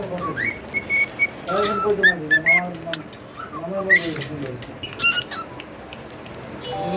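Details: A male cockatiel sings a run of clear whistles, some held and flat and others rising, mixed with chirps and short warbles, while low voices murmur underneath.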